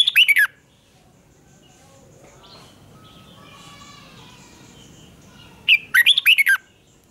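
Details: Competitive singing from a red-whiskered bulbul being stirred to duel: a brief tumbling whistled phrase opens, faint background chatter and soft far birds fill a long pause, then a fresh burst of bright warbled notes closes.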